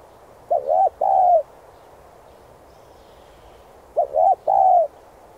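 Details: Spotted dove giving an urging coo used in decoy-bird training. Two matching phrases about three and a half seconds apart, each a short two-part wavering coo followed by a sustained, slightly falling coo.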